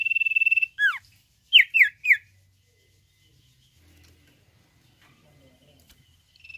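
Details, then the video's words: Common iora, 'nyiul' style song: a short rapid trill, a downward-sweeping whistle, three quick falling notes, a long quiet stretch, and a new trill starting at the end. "SUARA CIPOW NYIUL MBOH"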